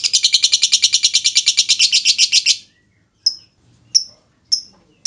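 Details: Caged lovebird lure sound meant to set other lovebirds singing: a long, rapid, high buzzy trill of evenly pulsed notes lasting over two seconds, then three or four short sharp chirps with silent gaps.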